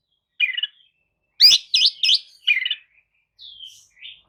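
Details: Kacer, the Oriental magpie-robin, giving a lure song to prompt a listless kacer to answer; a buzzy note, then a series of sharp looping chirps and a short downslurred whistle.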